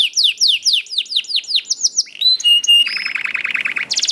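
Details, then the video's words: Young canary song meant to coax other canaries into singing: a run of falling chirps, then short pure steady whistles, ending in a buzzy rapid rolling trill. "KENARI GACOR DOR NGEDUR NGOTOT CUIT CUIT NGEROL AMPUH PANCINGAN KENARI PAUD"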